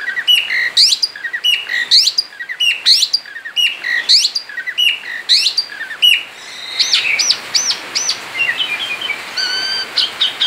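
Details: Singing outside its cage, a male Asian pied starling gives 'ngerol' song: harsh, buzzy repeated phrases about once a second, then shifting into clearer, spaced whistled notes.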